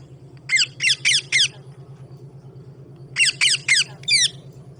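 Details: Parrot calling, with birds drinking water: two bursts of four harsh, high, downslurred squawks in quick succession, separated by a pause of about two seconds, over a steady low electrical hum indoors.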